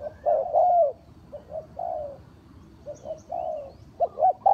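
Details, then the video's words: Trapping decoy spotted dove uttering hollow, hooting coos, a clipped first note and a drawn-out sliding croo, in separated phrases with gaps of about a second, plus faint high twitters. "เสียงนกเขาใหญ่, terkuku pikat,Tiếng chim cu gáy mồi chuẩn gáy gọi cực hay"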